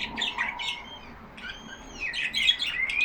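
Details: Pet budgerigars, yellow Australian parakeets kept in a cage, chattering among themselves indoors: rapid warbled chirps and squawky notes with short whistled slides, a busy overlapping stream with a brief quieter gap midway.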